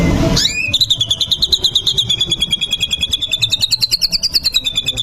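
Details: White-rumped shama used to provoke fighting: after a brief loud burst, a long rapid high trill of evenly pulsing notes that wavers gently in pitch for several seconds.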